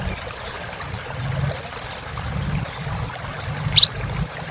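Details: Kolibri ninja sunbird in lively 'gacor' song, used to get silent cage birds singing again: very high, sharp upward-flicking chirps in quick runs, one bright buzzy trill mid-clip and a rising squeak near the end.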